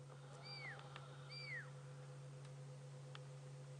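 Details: On an afternoon safari drive, 26 June 2016, a fork-tailed drongo mimics a pearl-spotted owlet, possibly to chase other birds away, giving two high, clear, arching whistles about a second apart over a steady low engine hum.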